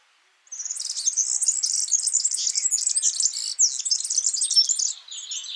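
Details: Yellow-fronted canary, called Mozambique bird in Indonesia, singing in the wild: a fast, continuous high twittering warble of rapid buzzy trills and chirps lasting about four and a half seconds, with no other sounds.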